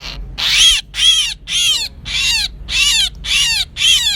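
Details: Myna call played as a lure for trapping birds, 2024: a series of harsh, raspy bursts with downward-sliding tones, about two per second, slightly uneven in spacing, with no other sounds.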